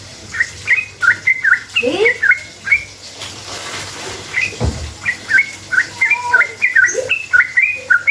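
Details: Bubbly, fast-paced song of a sooty-headed bulbul used to lure others into answering: clusters of quick rising-falling notes, a short lull with a thump midway, then the rapid chirping resumes.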